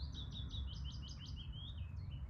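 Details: A willow warbler singing near a long-tailed tit nest on 27 April, in fields with a chiffchaff calling nearby, gives a soft, sweet cascade of about a dozen whistled notes sliding gently down the scale over a steady low rumble of wind.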